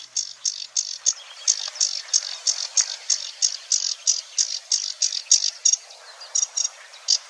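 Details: A Sedge Warbler sings in a marsh near the Weerribben at Wetering West, Overijssel, on 6–7 May 2022. It gives a high, dry chattering run of short, rasping notes, about three a second, and imitates other sounds, pausing briefly before resuming.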